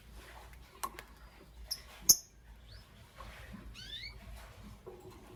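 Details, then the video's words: Lovebirds, a green Fischeri and a pastel blue, in the morning: a few quick rising chirps sweeping upward in short bursts, between sharp clicks and taps from an indoor setting. "Lovebird Chirping Sounds - Green Fischeri & Pastel Blue"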